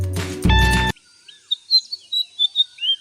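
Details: White-browed fantail, a resident bird in Sri Lanka, gives a quick run of short, high, sweet chirping notes, about three a second, after a burst of music.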